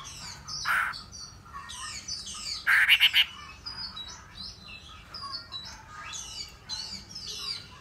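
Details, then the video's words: Hwamei delivering soft, high, rapidly slurred whistles broken by a short burst of loud, harsh, clustered notes. "họa mi"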